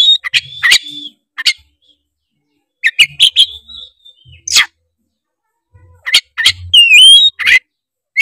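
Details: Oriental magpie-robin from Tretes singing loud and lively to provoke rival birds into singing: sharp chattering notes around high pitch, a sustained whistle and a rising slurred whistle, with short pauses between bursts.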